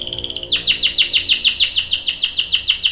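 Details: A canary lure song of the 'gacor' style, sung to make another canary respond. A brief buzzy trill leads into a steady chain of high, descending chirped notes repeated about six times a second.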